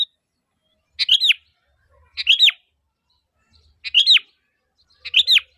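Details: Sooty-headed bulbul giving calls meant to make other bulbuls answer: a single looping, rising then falling chirp repeated roughly every one and a half seconds, four times, with faint soft tapping.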